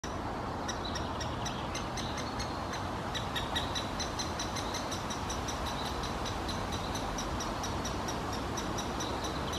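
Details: A great spotted woodpecker (Dendrocopos major) nestling in its nest hole in Helsinki, Finland, in June 2021 gives a steady stream of high, rapid, chattering calls, several per second, over a constant low rushing background noise.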